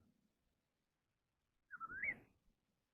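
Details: Chinese hwamei singing in a contest: after near silence, a single quieter whistle dips and then climbs sharply. Faint low rustling runs underneath.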